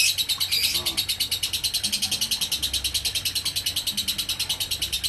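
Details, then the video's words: Ngekek konslet by a lovebird, a long unbroken run of high, scratchy pulses repeated quickly and somewhat unevenly, slightly louder at the start. "Burung lovebird ngekek konslet"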